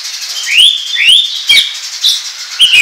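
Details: Oriental magpie-robin in ngobra style singing a short run of loud rising whistled slurs, about one every half second, mixed with brief sharp chips.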